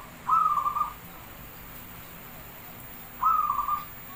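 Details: Zebra dove of the Javanese type singing: two short, quavering trilled coos about three seconds apart, with quiet hiss in between. Recorded as a lure to set other doves singing.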